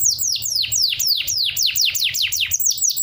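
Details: Canary song played so other birds imitate it: a fast series of bright, steeply falling whistled sweeps, about one each quarter second, high and clear, with a faint low hum beneath.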